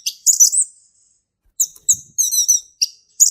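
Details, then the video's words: Song of a male orange-headed thrush in 'ngeplong' style, given as a lure for young birds: a high slurred whistle, a pause, then quick chattering notes and a fast buzzy trill. "SUARA ASLI HUTAN ANIS MERAH JANTAN GACOR NGEPLONG"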